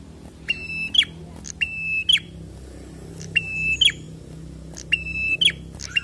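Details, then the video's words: Prinia delivering 'gacor fighter' song: four rasping, level notes, each with a quick falling end, roughly every one and a half seconds, with short high ticks between and a low hum. "PRENJAK GACOR FIGHTER"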